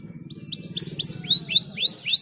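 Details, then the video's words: Caged canary singing: a quick series of high swooping upslurred whistles, repeated several times a second, over a low rumbling background. "superar o chilrear canário preso"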